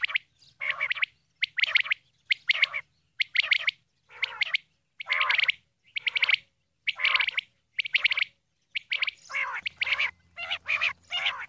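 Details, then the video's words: Female common quail calls: evenly spaced rasping bursts about a second apart, growing denser and busier in the last seconds as a low hum appears. "Female Quail Calling Dhoghla Batair ki Awaz"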